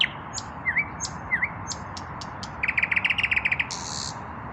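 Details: Evening song of a common nightingale, a male that has not yet found a mate: short high notes and two swooping V-shaped whistles, then a rapid rattling trill and a harsh buzzy burst at the end.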